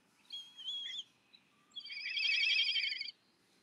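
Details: Black kite begging: a couple of thin whistled notes, then a loud, quavering, tremulous whine of over a second over a low background hum.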